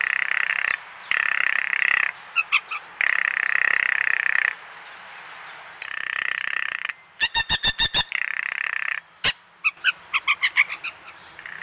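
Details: A female blue jay at a feeder gives harsh, buzzy jeers in drawn-out bursts, then a fast, dry clicking rattle made only by females, often with bobbing and documented as a territorial alert, then a few bright notes.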